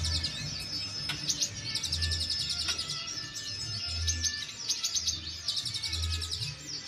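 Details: Ombyokan song of a brown-throated sunbird, used as therapy sound: bursts of very high, fast buzzy trills and sharp chirps, with short pauses between them, above a rhythmic low throbbing beat.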